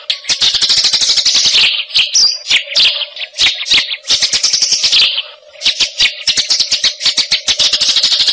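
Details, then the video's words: Fighting-style Eurasian tree sparrow delivering a fast, tight single-note song: several dense bursts of quick sharp chirps separated by brief pauses and scattered individual notes. "masteran gereja tarung vs cililin speed rapat satu nada"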